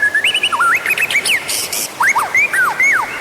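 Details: Lure song of the white-rumped shama: brisk rich whistles, swooping slurred notes and quick warbled phrases in two short bursts, bright and clear against light background hiss.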